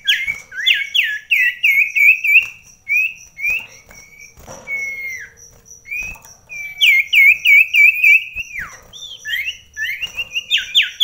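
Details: Common iora, kept indoors and set in a close-range singing contest with another bird during a spell of daily rain; loud whistled notes sliding up and down, rapid runs of repeated phrases about three per second, with a steady thin high tone behind.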